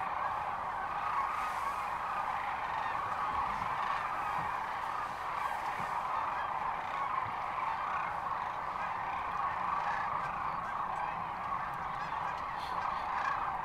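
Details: Massed sandhill cranes at Rowe Sanctuary near Kearney, Nebraska, on March 13, 2014, calling together in a constant rolling, rattling din of many overlapping voices, with no single bird standing out.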